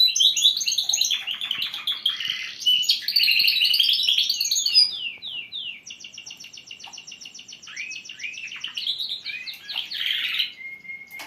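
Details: Song of young canaries at the start of their singing, being trained by listening: loud jumbled warbling and buzzy trills, then a long, steady, rapid high rattle, then rising whistled notes ending in a thin held tone.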